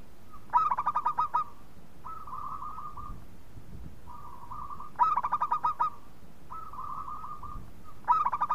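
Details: Local zebra dove in full song, used to spur other doves into singing: repeated bursts of about eight quick, bubbling coos roughly every four seconds, with smoother, softer purring phrases from other doves between.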